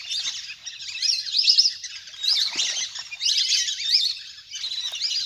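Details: Wild ducks in a big flock play on the water, recorded as a lure to bring birds down. Bursts of high, wavering whistles come in waves about every second, with splashes between them.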